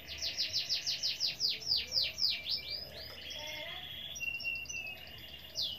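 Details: Canary in full, constant song, played to spur other canaries to sing: a rhythmic run of descending whistled notes, then softer, varied warbling phrases over a low background hum.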